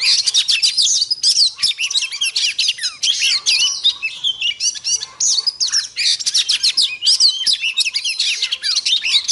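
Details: Caged Oriental magpie-robin in Vietnam, trained in the forest-voice singing style, delivers a dense, continuous run of high whistled and chattering phrases with rapid slurred notes, barely pausing across the whole stretch.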